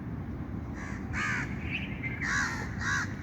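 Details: Bird calling outdoors: four harsh, hoarse caw-like notes, two short ones, a pause, then two louder ones close together, over a steady background rumble.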